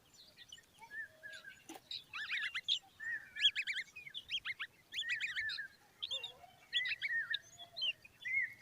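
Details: Common babbler chicks standing beside their mother give busy, overlapping squeaky chatter: quick wavering high notes and short trills, repeated in bursts with scarcely a pause.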